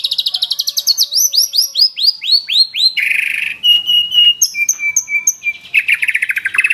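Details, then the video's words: Rich white-rumped shama song: a rapid trill leading into repeated downward-curving whistles, then buzzy strokes, steady piping notes and a final fast trill. "MURAI GACOR BONGKAR ISIAN !!! MURAI BATU ISIAN MEWAH FULL TEMBAKAN"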